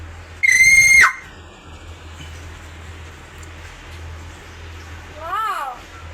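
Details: Caged pet hill myna prompted by its owner; one loud, shrill, level whistle lasting over half a second that drops sharply at the end, later a shorter wavering rising-and-falling note, with a low room hum.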